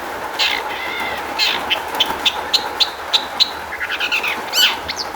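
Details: Long-tailed shrike song as a lure to make other shrikes sing; a buzzy trill opens, then a row of evenly spaced bright chirps, ending in a loud harsh squeal, against a low hum.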